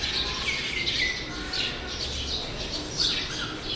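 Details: Several bird species by a roadside, sparrows among them, chirp and tweet with some clear downslurred whistled notes amid dense overlapping twitter and low background noise.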